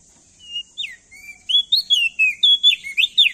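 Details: Male Crested White-eye, locally prenjak daun, from Nusa Tenggara, singing loudly as a lure to get other birds singing: a long thin whistle, then a burst of rapid clear whistled notes sliding up and down.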